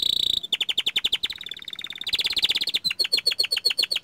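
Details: Young canary of the small standard type in strong song: long fast trills of crisp repeated notes, changing speed and pitch, ending in evenly spaced bright chips.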